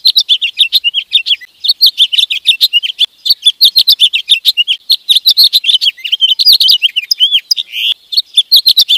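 Sparrow and goldfinch song: a steady stream of bright, high chirps and tinkling twitters, several notes each second without pause, with no other sounds.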